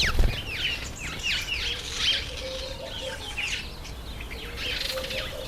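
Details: Breeding-season masked weaver, recorded in September–October, producing a quick series of hooked buzzy notes and squeaky chirps, with a brief thump at the start and steady outdoor background.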